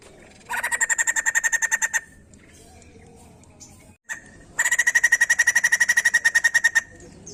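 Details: Singing white-crested laughingthrush, to stimulate others to sing: two bursts of rapid rasping pulsed notes, the first about one and a half seconds, the second about two seconds, with a quiet gap between.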